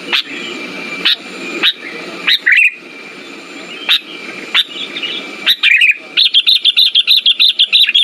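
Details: Sooty-headed bulbul lure for birds that have stopped singing: isolated sharp chirps at first, then a dense, rapid, evenly paced string of high chirps through the final two seconds.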